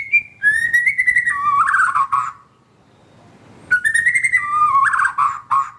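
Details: White-rumped shama singing as a prompt for silent caged shamas: rich whistled phrases sliding down from a high note to lower warbles, a pause of about a second, then the phrase repeated.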